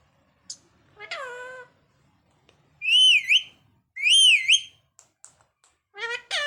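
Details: Parrot vocalizing indoors: a short harmonic, voice-like utterance, then two loud wavering whistled notes that rise and fall, ending with quick rising chirps and another voice-like burst, separated by brief silences.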